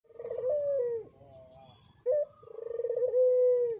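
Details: Puter pelung dove, a captive breeding adult: a deep rolling coo with rapid pulsing, then a long, steady, slightly falling tone. After a pause, the same pulsed, rolling coo comes again and ends in a sustained note.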